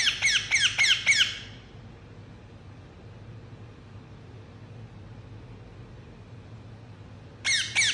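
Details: Rose-ringed parakeet (Indian ringneck) gives a quick burst of about five harsh, high squawking chirps, then falls silent before another short burst at the end.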